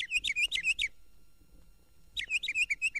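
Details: Northern Mockingbird, the state bird of Florida, which sings all day long and on moonlit nights, from a 1969 record of Florida birds: two bursts of quick, high, chirping notes rapidly repeated, with a second-long pause between them.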